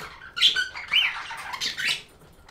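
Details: A budgerigar gives a few harsh, squeaky chirps and short warbled notes in quick succession, about three clear bursts within two seconds.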